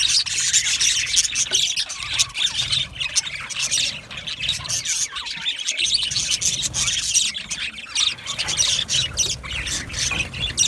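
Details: Loud, continuous flock chatter from aviary budgerigars: a dense, hissy mass of high chirps and squeaks pulsing in loudness across the whole stretch.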